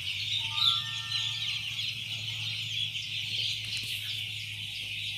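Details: Many day-old chicks on a poultry farm in Chimmad, Bagalkot district, producing a steady wash of thin, high peeping over a constant low mechanical hum.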